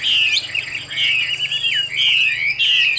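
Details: Chinese hwamei kept in captivity and described as fit for fighting or singing, giving a continuous run of loud, fluty, warbling whistles with quick slurs and trills. A thin steady high tone sits in the background.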